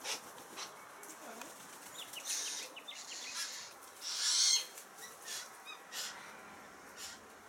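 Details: A family of choughs in a garden tree, with three young being fed mince by a parent, gives harsh, rasping, high-pitched calls in short bursts, about one every second or so, over a steady background hiss.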